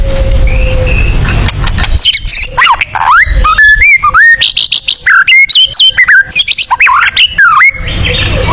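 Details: White-rumped shama singing a 'tembakan' style song suited to contest birds: after a faint steady tone, a rapid burst of loud, varied whistled notes, sharp upslurs, and chattering phrases, densely packed and ringing.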